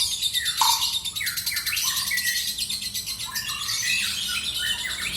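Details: Kept lovebird singing in the long ngekek style: dense, rapid chattering of sharp chirps and short rising and falling whistles, unbroken across the whole stretch, with a faint low hum beneath.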